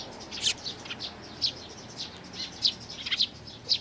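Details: Eurasian tree sparrow family of chicks and parents, recorded 11 May 2019, with spaced high chirps, some faint and some sharp, coming irregularly about twice a second.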